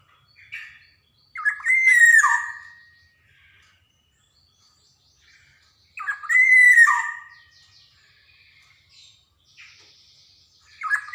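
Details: Javan black-naped oriole song meant to coax young birds into singing: two loud liquid whistled phrases about four seconds apart, each with a bright slurred rise and a falling tail, plus a few short soft notes between.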